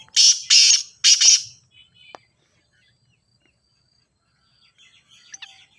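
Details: Grey francolin (teetar) call, a playback to make a silent francolin start calling: three loud, harsh, high-pitched bursts in quick succession, then near silence with faint distant chirps.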